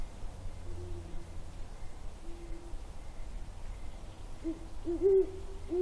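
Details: Great horned owls hooting on January 17, 2022: low, soft, hollow hoots, with faint spaced notes early on, then louder, closer hoots near the end over a steady background hiss.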